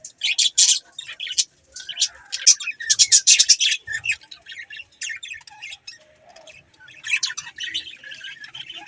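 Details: Budgies give loud, rapid clusters of piercing chirps and clicks early on, then fall to softer, scratchy warbling and chatter before another lively burst near the end.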